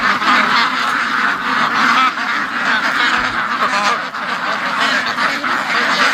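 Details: Many domestic ducks crowd a pen waiting for release late in the morning, having quacked without stop for an hour and 40 minutes; loud, rasping quacks overlap in a thick, pulsing chorus.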